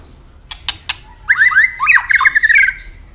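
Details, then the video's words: White-rumped shama hopping and giving its fighting song, just coming into breeding condition and flicking its tail. Three sharp snapping clicks come first, then a fast warbled run of rich, varied whistled notes. "chòe lửa chuyền hót đấu nết đập tạch đuôi chắc,kích chòe lửa hót đấu chớm lửa"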